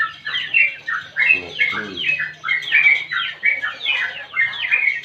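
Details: Sooty-headed bulbul in lively, continuous song used to prompt other birds to sing and to tutor them: fast chattering run of bubbly, slurred whistled phrases, rising and falling, repeated about every half second without pause.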